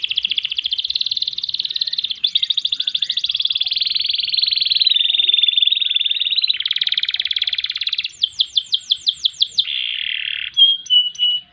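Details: Canary in a long rolling song for training other songbirds: extended rapid trills that change speed and tone, followed by a burst of higher sweeping notes and a few final chirps.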